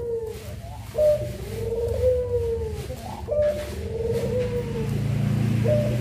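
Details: Puter pelung dove, one of two birds, cooing at a low pitch: a short rising note followed by a long, slightly wavering, falling coo, repeated about every two seconds over a low rumbling background.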